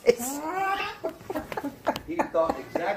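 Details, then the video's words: A 2-year-old male umbrella cockatoo, taught by his owner, sings the 'I Love You Song' while rocked: a long drawn-out note sliding up and down, then a string of short choppy speech-like syllables. "Cockatoo serenades owner by singing 'I love you'"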